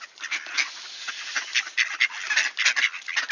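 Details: Wood ducks heard at dawn in Sainte-Adèle, Quebec, Canada, on 18 October 2024, 1°C and clear; short rising squealed whistles and quacky notes come in quick succession over a softer background chatter.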